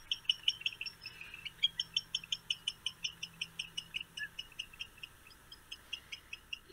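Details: Barn owl calls given at the nest to communicate with family and chicks, unlike its shrieking territorial call: a quick run of short, high, chittering notes, nearly three a second, over a faint low hum.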